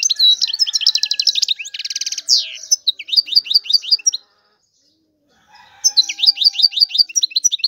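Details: European goldfinch pouring out quick tinkling chirps and a dense buzzy rattle, pausing about a second and a half before another twittering run.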